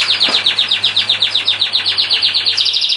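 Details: Canary singing a fast, even rolling trill of about four notes per second that shifts into a higher, tighter trill near the end, over a steady low hum.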